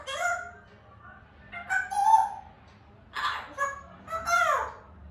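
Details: African grey parrot, a pet, giving mixed whistles and rough squawks in short bursts about every two seconds, some notes harmonic and wavering, others breathy, with a faint hum behind.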